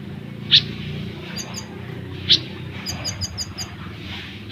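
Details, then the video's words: ['Olive-backed sunbird, as a lure for caged birds: two isolated sharp chips and a short, fast string of very high tinkling notes over steady low background noise.'] "Burung Kolibri Ninja / Konin Gacor Full Besetan & Tembakan Rapat untuk Masteran ataupun Pancingan"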